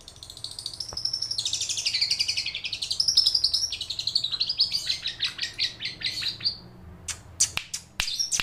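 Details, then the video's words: Long-tailed shrike singing an imitation of a lovebird: a dense, high chattering trill that sweeps up and down, gradually breaking into separate rapid chirps, ending with a few sharp, isolated high notes. "Burung cendet gacor‼bongkar isian lovebird"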